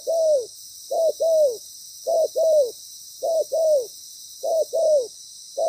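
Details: Spotted dove decoy in a ground trap, moulting and cautious but loud and well patterned. Five regular pairs of low coos sound, each a brief note then a longer descending one, about every second, over a steady hiss.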